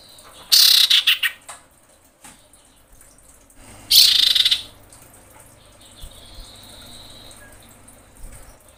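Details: Breeding female common iora calling to a male: two loud rattling bursts of rapid harsh pulses about three seconds apart, followed by a faint thin level whistle.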